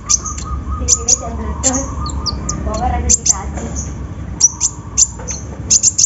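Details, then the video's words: Lure recording of a sunbird (kolibri ninja) to encourage singing: clusters of very high, sharp chirps and brief trills, a steady mid tone in the first half, and lower warbled sounds mixed in. "PANCINGAN KONIN SUSAH BUNYI!! SEKALI DENGAR LANGSUNG DUUUAAAAARRR"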